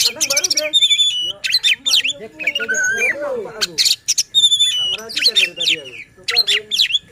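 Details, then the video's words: Magpie-robin song played to rouse other oriental magpie-robins to sing: bursts of sharp whistles, buzzy rattles, and descending slurred notes, with low voices of people talking underneath. "Suara KACER Buat EMOSI dan NGOTOT Kacer Lain | Pancingan Kacer Malas Bunyi."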